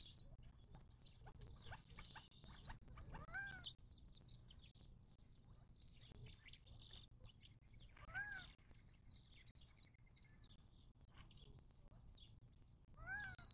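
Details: Birds visiting a watering hole in southern California's western Mojave Desert, near Joshua Tree National Park, in March 2024. An arched, nasal call repeats about every five seconds amid dense high-pitched chirping.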